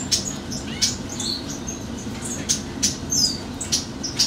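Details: A lesser goldfinch of the subspecies Spinus psaltria colombianus gives thin, high chips and short sliding whistles, scattered irregularly about every half second, over a low steady background hum.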